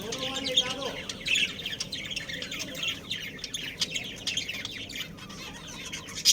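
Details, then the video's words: Budgerigars in a breeding pair keep up a steady, soft mesh of high chirps and scratchy twitters, with a louder squeaky note near the end. "Adorable Budgies Chirping Sounds"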